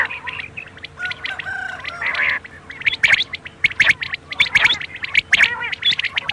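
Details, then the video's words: Quail calls for night: raspy gargling notes give way to rapid, fairly regular sharp chirps from several birds, overlapping, over a faint steady hum. "بٹیروں کی بولی رات کے لیے"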